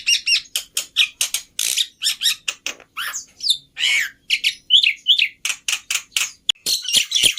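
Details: Black-winged myna singing for caged birds to copy: rapid chatter of clicks, scratchy squawks and brief slurred whistles in a nonstop stream.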